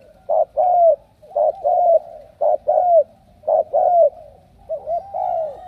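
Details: Spotted dove from Ca Mau, a bird selected for strong cooing: short note then long downslurred coo, paired and repeated about once a second, with a low hum underneath.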